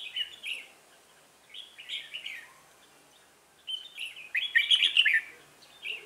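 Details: Red-whiskered bulbul at a trapping site with a decoy bird, singing quick warbling phrases in clusters, the last burst louder and richer; faint background hiss.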